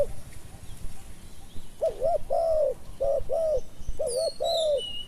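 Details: Spotted dove cooing during decoy luring of wild doves. After a quiet start, low hollow coos come in short paired groups, a double-humped note followed by a longer drawn-out one. Faint high chirps from other birds are heard near the end.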